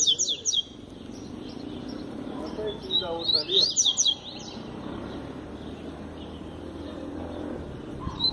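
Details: Double-collared seedeater singing tui tui zel zel with great force: sharp high notes at the start, a loud cluster of rising and falling whistles around the middle, then quieter, over low background noise.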